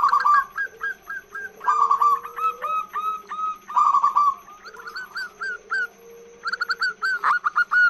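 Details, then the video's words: Female zebra dove giving a long call to draw in males: repeated rolling trills and runs of crisp hooked whistled notes filling eight seconds, with a soft lower sliding tone and steady background hum. "Perkutut Gacor BETINA Suara PANJANG Untuk PANCINGAN."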